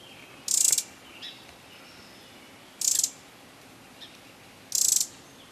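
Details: Winter wren at Tryon State Park near Portland, Oregon; three short, sharp, high harsh notes spaced about two seconds apart, with faint softer ticks between them over quiet background hiss.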